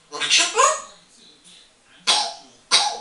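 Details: Eight-year-old female African grey parrot, a pet, chatting to herself in a bathroom. She produces speech-like voiced phrases with a rising tonal note, followed by two sharp clicking bursts.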